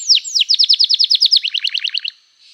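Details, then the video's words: Canary in gacor song, played to prompt other canaries to reply: a quick series of about fifteen downward-slurred whistles, steady in rhythm, shifting into a lower, faster burst of notes, then a brief pause. "Kicauan Kenari Gacor Bikin Nyaut kenari lain || Gacor Cuit Cuit emosi, terapi ampuh kenari macet"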